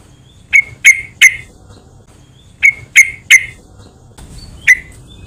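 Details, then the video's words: Sharp, clean chip notes of a yellow-vented bulbul, used as a lure to make other bulbuls call, given in two sets of three followed by a single chip, with near silence between. "PANCINGAN BURUNG TRUCUKAN , SEMUA TRUCUK PASTI IKUT BUNYI"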